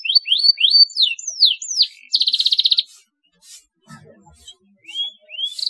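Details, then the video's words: Canary song used as a lure to stimulate young canaries to chirp: a series of rising and falling whistled slurs, a short dense buzzy roll, then a quiet gap and two final upward whistles. "CUITAN KENARI TERBUKTI AMPUH BIKIN KENARI PAUD RAJIN NGERIWIK | PANCINGAN KENARI PAUD"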